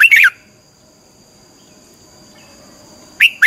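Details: Red-whiskered bulbul training song, 'xoắn tít' twisting voice meant to rouse birds: a brief burst of quick warbled notes at the start and another beginning at the end, separated by quiet with a constant high-pitched whine.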